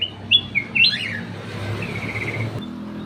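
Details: Ruby-throated bulbul (cucak emas) in an aviary, lure song: a few quick bright whistles with upward flicks, then a softer trilled run over steady low engine-like humming.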